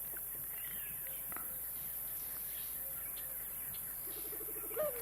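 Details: White-faced scops owl giving a quick, low stuttering run of notes ending in a slightly higher drawn-out hoot, over faint chirps and hiss; reference call played to confirm an owl heard calling in the African bush at sunset.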